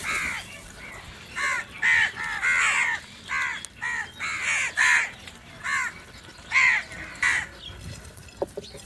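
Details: Crows fighting for food call in a rapid series of about a dozen harsh, hoarse caws, some doubled, irregularly spaced, with quiet gaps and little background noise.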